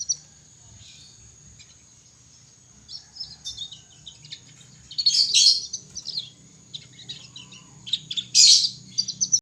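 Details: Young canary in song practice: scattered soft chirps build into two loud harsh, buzzy bursts separated by bouts of quick twittering notes. A steady high-pitched tone persists throughout.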